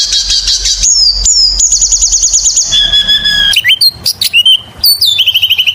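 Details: Oriental magpie-robin in energetic song meant to lure others: a high buzzy trill, a rapid series of repeated sharp notes, then pure sustained whistles and quick up-slurred chirps.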